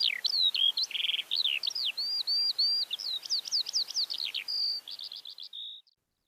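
Eurasian skylark pouring out a fast, unbroken stream of high chirrups, trills and slurred whistles, varied and jumbled, over quiet background.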